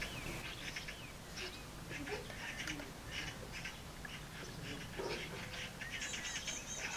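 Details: Garden magpies squabble around their nest, letting out rough, rattling chatter in repeated bursts roughly every half second to second, over a constant low background rumble.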